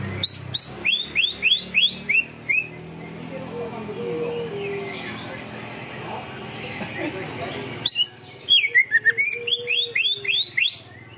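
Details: Greater green leafbird, 'ngunci kenari' song: long runs of fast, repeated rising whistled notes, then a quieter noisy gap, then a second burst with a dipping and rising phrase, over faint background hum.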